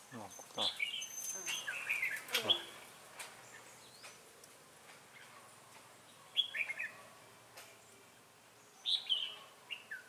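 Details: Red-whiskered bulbul decoy singing in Ché style during trapping in Bình Phước, Vietnam, 25 June 2018; short warbled phrases of rising and falling whistles come in bursts several seconds apart, with sharp clicks and knocks near the start.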